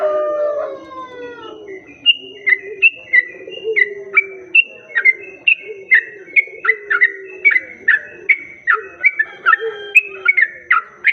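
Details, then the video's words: Sooty-headed bulbul song used to lure other bulbuls: a long, steady series of short, sharp whistled notes repeated more than twice a second over softer sliding tones from other birds. "Pancingan burung trucuk"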